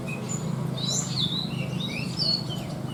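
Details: A branjangan, or Horsfield's bush lark, noted for its rich 'isian' song: scattered thin high whistles and short slurred chirps, some rising, some falling, spaced irregularly over soft background noise.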